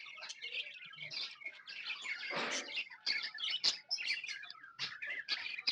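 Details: Happy budgerigars kept as tame pets fill the air with a rich tangle of warbling, clicking, high chirps, building into a dense chorus midway.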